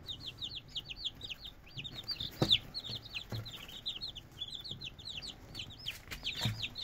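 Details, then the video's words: Red junglefowl chicks uttering many high, curved peeps in dense overlapping runs, with occasional soft thumps and scuffling. "Red jungle fowl chicks"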